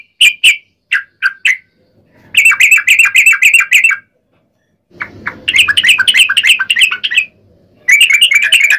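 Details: Trucukan bulbul singing vigorously, a lure recording to prompt other bulbuls to reply: spaced single chirps give way to dense bursts of rapid, liquid chatter. Each burst lasts one to two seconds and is separated by a brief gap.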